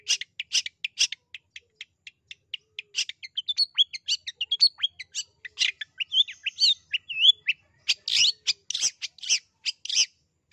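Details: Lure calling of a long-tailed shrike meant to make a reluctant shrike sing: rapid run of sharp ticks and clicks building into varied twittering, slurred whistles and harsh chattering bursts over ten seconds.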